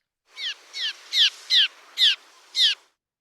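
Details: Cliff Swallow alarm call from birds of a bridge nesting colony circling overhead at an intruder: six short, high, down-slurred notes, roughly two or three a second, clear against a quiet background; this sound means danger.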